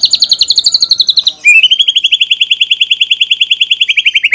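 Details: Lure recording of a white-rumped shama to set other birds singing, fit for song tutoring: a high, machine-gun trill slightly falling, breaking into a steady, lower rapid trill of evenly spaced notes lasting several seconds.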